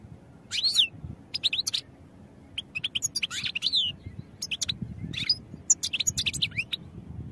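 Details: European goldfinch song meant for training other birds: bursts of quick, bright twittering notes and sharp high chirps in short clusters separated by brief pauses, over a faint low background rumble.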